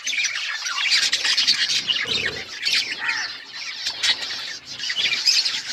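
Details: Several pet budgies chirping and chattering in a busy flock, overlapping scratchy warbles and squawky notes running steadily throughout, with a brief low rustle partway through.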